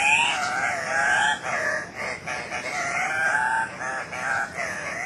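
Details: Two male Andean cock-of-the-rock (ssp. saturata) displaying at a lek at Cock of the Rock Lodge, Manu NP, Peru, 1 August 2005, giving loud, nasal, squawking calls that rise and fall, overlapping in quick succession.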